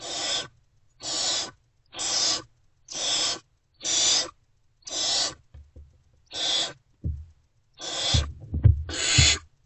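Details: Great horned owl owlets in Owl Box C, early morning of 3 March 2024 around 5:30 am, still unfed and reacting to an adult's return: harsh broadband hissing screeches repeated about once a second, with thumps and rustling near the end.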